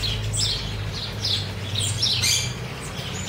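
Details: Chopi blackbirds fed in the wild at Cuiabá, Mato Grosso: overlapping short whistles and chirps, some sliding up and down, repeated rapidly, with a steady low hum underneath.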